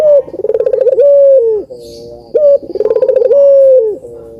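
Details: Dove song meant to stir lazy doves into calling: two loud phrases, each a fast stuttering roll of pulses followed by a sustained, gently falling coo, separated by softer drawn-out tones.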